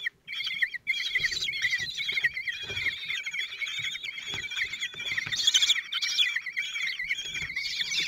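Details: Feeding time for four 16-day-old common kestrel chicks and their father, Théding, France, June 2023: after a short silent start, sustained shrill quavering chatter fills the rest, rising in intensity near the end.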